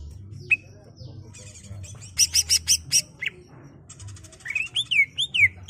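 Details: 'Ngerol' rolling song of a captive greater green leafbird, used to train untrained birds: an isolated whistle, a series of high buzzy pulses, then bouncing looped whistles rising and falling, over a faint hum.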